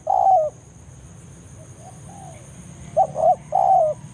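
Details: Forest spotted dove giving the banggo lure call used to bring rival doves to a trapping site. One drawn coo, soft faint notes, then a clipped double coo and a longer falling coo.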